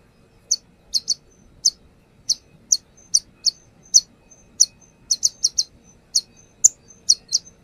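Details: Brown-throated sunbird (konin) used as a lure, giving a steady series of sharp high ticking notes, single or in quick pairs and triplets, roughly two to three per second.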